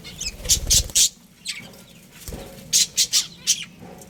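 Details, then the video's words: Budgerigars of a breeding pair give short, very shrill chirps in quick clusters, with low thumps and rustling at the start and in the middle. "Cute Budgies Chirping Sounds"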